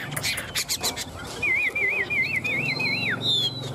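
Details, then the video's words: Chinese hwamei, one of a well-kept caged pair, in fighting song: a rapid whistled warble wavering up and down, ending in a sharp rising and falling note and a high pure whistle, after some clattering knocks. "Chim họa mi hót đấu"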